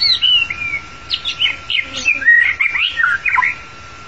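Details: Song of a long-tailed white-rumped shama, used to lure the bird into a trap: loud, rich and varied warbling with swooping whistles, quick chips and fluid phrases delivered almost without pause.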